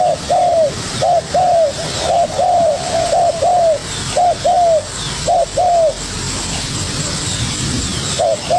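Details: Young spotted dove dueling vigorously with a decoy bird: clear, arched coo notes delivered in quick pairs and short runs, about nine phrases over eight seconds, with a brief pause near the end over steady high-pitched background hiss.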